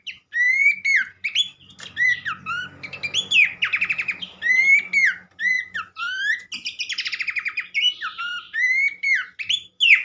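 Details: Horsfield's Babbler, known locally as pelanduk semak, delivering upslurred whistles mixed with rapid buzzy trills; a low rumbling noise runs through the middle section.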